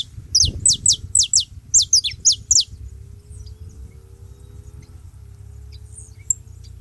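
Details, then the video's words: Saffron finches gathered together at a feeding spot, making noise: a quick run of about ten high, sharply descending chirps in two bursts over two and a half seconds, then near silence with a low background hum. "Canário da terra junto fazendo barulho na seva"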